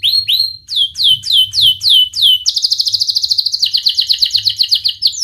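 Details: Canary song used to train young canaries to sing: slow sharp descending whistles, then a very fast buzzy trill shifting lower in pitch.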